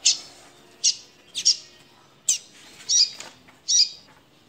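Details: Frightened double-collared seedeater held in a cage, 'chia' call: about six high, hoarse chirps, some doubled, at uneven intervals with a faint click between, steady low background hum.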